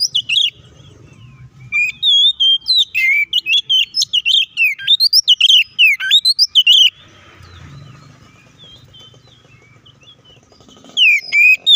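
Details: Fighting song of an Oriental magpie-robin, used as bait to rouse other magpie-robins: a long run of sharp, rapid whistled notes and slurred chatter, then near silence with faint low background hum, and a brief final burst.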